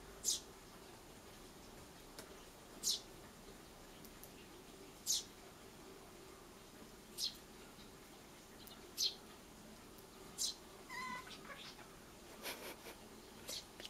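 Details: Eurasian tree sparrow chick begging for food, sometimes feeding itself while its parent is not watching; short, sharp high chirps repeated roughly every two seconds, about seven in a row, with faint lower sounds near the end.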